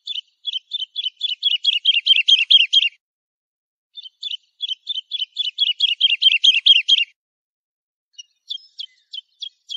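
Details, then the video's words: Lark song played to teach fledglings: two long, accelerating series of sharp, high chirps that grow louder, followed after a pause by a few spaced, thin, clipped notes, with a silent background. "تغريد الولوال لتحفيظ الفراخ - chant d'alouette"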